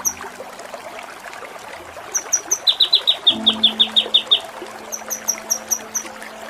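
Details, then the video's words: Kinoi song for tutoring contest birds, nembak cililin style: thin high chips, then a run of stronger downslurred notes repeated about five per second, fading into softer high chips, with a low hum throughout. "Masteran Mewah KINOI || Ngepik Kapas Tembak || Nembak Cililin"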